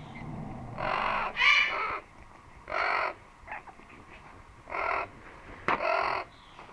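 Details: A male Blue-throated Macaw in the background gives about five loud, harsh, raucous squawks, spaced roughly a second or so apart, over a faint low background hum.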